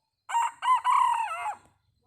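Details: Red junglefowl, wild, gives a full crow: two short rising bursts and then a long sustained note that falls away at the end. The background is quiet.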